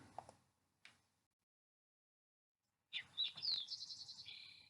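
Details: Green-tailed Towhee singing a complex song of several elements. A few soft knocks are followed by silence, then high sliding whistles that run into a buzzy mechanical trill, much like a Spotted Towhee's, ending on a steady tone.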